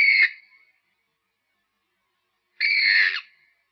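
A Purple Swamphen gives two loud, harsh, nasal screeches, a brief one then a longer wailing one about two seconds later, with silence between.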